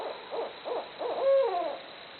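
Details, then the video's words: Barred owl giving a short run of three quick rhythmic hoots followed by a long, loud, drawn-out 'hoo-aww' that rises then falls away. "Barred Owls Hooting Away Making Jungle Noises."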